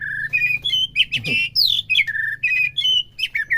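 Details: White-rumped shama song meant to stir a caged bird to sing: clear sustained whistles at shifting pitches, each held briefly, broken by a burst of harsh noisy notes and quick upward slurs.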